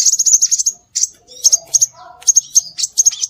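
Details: Bird-attracting lure of scarlet minivet calls: a fast burst of thin high notes, a pause, then paired sharp chirps, with a brief lower whistled phrase in the middle.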